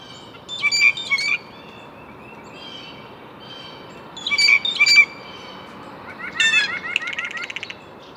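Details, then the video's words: Three bursts of harsh, scratchy blue jay calls, each a pair of ringing notes, followed by a rapid rattling, chattering series in a quiet background. "Blue Jay Bird Calls"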